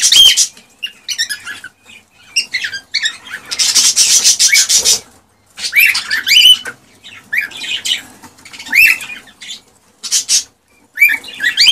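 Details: Male cockatiel in excited song meant to encourage a female to mate and breed, giving scattered short whistled upsweeps mixed with harsh broadband rasps and scratchy noises, with silent gaps between bursts.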